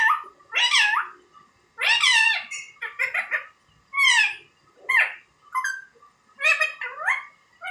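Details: Indian ringneck parrot imitating human speech with clipped, word-like bursts, a few swooping upward, spaced roughly a second apart in an uneven rhythm, recorded in a quiet setting.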